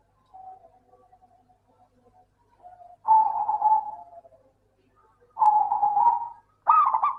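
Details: Local zebra dove, or perkutut, used as a singing lure: quiet stuttering coos build into three loud, rapid rolling phrases, the last one starting on a higher, sharper note.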